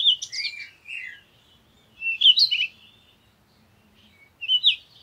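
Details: Parakeet calling with bright, warbling chirps and short downward slurs in three separate bursts, roughly every two seconds, against a quiet background.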